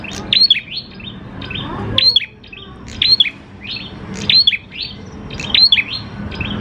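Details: Lure song of a steadily singing grey prinia (prenjak klawu), meant to make other prinias sing: five phrases of quick upswept notes and sharp chips, about every 1.2 seconds, with faint low noise underneath.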